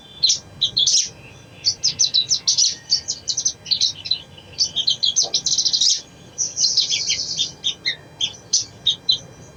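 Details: Brown-throated sunbird song used as a lure recording to make a lazy bird sing quickly: dense, high twittering with rapid chirps and buzzy trills in bursts, nearly continuous, with brief pauses between phrases.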